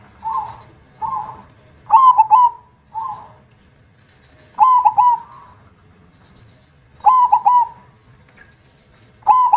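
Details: Zebra dove (perkutut) song, a loud-voiced bird: repeated phrases of short cooing notes followed by a longer trailing coo, phrases recurring about every two to three seconds, with quieter single coos between them.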